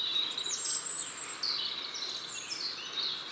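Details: European robin song, described as a long, sweet warbling of varying tempo with pearly trills and whistles, strophes never repeated identically and borrowing from other songbirds; high, thin twittering trills and slurred whistles flow continuously over faint background hiss.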